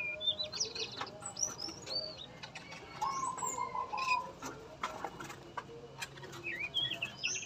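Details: Male yellow-rumped flycatcher in a captive breeding cage gives short, high, sweet whistled phrases and chirps, with a low trill midway, while other small birds chirp in the background; yellow-rumped flycatcher.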